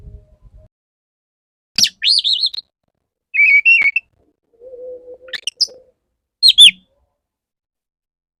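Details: Male Oriental magpie-robin courting a female, used as a lure: wavering warbled whistle, a sustained buzzy trill, a low steady note, then sharp falling whistles.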